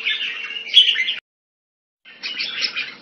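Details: Caged red-whiskered bulbul kept Thai style in Singapore, a competition bird: two bursts of bright warbled phrases near the upper-middle pitch, separated by a second of silence, with a faint steady low hum underneath.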